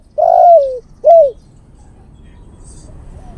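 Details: Male spotted dove calling to a female as a bird-luring call: two loud, soft-toned coos, the first long and sliding downward, the second shorter and also falling, followed by near quiet.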